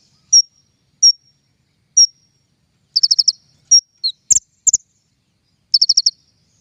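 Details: King konin sounds for luring birds into traps: isolated thin high whistled notes about once a second, a few fast chirp clusters and brief sharp clicks, otherwise silent.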